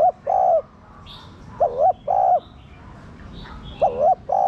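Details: Spotted dove coo phrases, meant to stimulate captive doves: about three two-part coos, each a short wavering note and a longer steady one, over soft background chirps of small birds.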